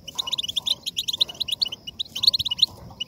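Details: Goldfinch singing, played to motivate other goldfinches to sing: fast liquid twitters and chirps in dense tumbling phrases, pausing briefly before a louder closing burst.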